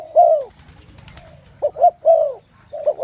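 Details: A drawn-out descending spotted dove coo, a pause with faint rustling noise, then renewed paired coos and another sliding note, all mellow and mid-pitched.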